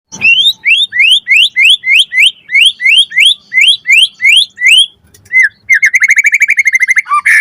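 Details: White-rumped shama song used as a lure to prompt other birds to answer: a fast series of loud rising whistled notes, about three per second, followed by a brief pause and then a rapid buzzy trill of short repeated notes.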